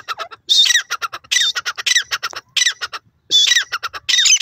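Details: Jungle francolin call, a desi teetar in the wild: strident repeated phrases of a harsh high opening note trailed by rapid choppy clucking notes, four phrases in quick succession with brief pauses.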